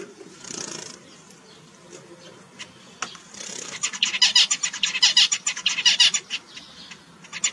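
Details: Zebra finch giving a few soft scattered chips, then launching into a loud, fast series of harsh, nasal chirps repeated steadily for about three seconds before tapering off.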